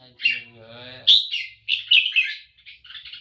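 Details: Caged red-whiskered bulbul, praised by its keeper as good enough to win a singing contest, breaks in after a man's brief words with loud choppy whistled phrases that trail off softly.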